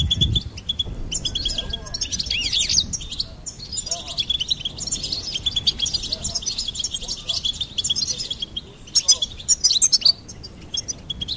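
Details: Goldfinch song: dense, fast twittering and tinkling high notes, run together almost without a break, with short louder bursts near the end and a faint low rumble underneath.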